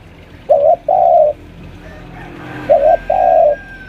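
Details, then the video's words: Captive spotted dove, a senior lure bird about five years old, calling to press a rival: two low coo phrases, each a brief note followed by a longer steady coo, separated by a pause. "suara pikat tekukur"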